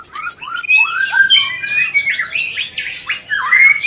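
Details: Murai rencetan lure to stir breeding desire in white-rumped shamas: a loud, continuous run of varied whistles and slurred chirps, rising and falling, ending in an upward-sweeping note.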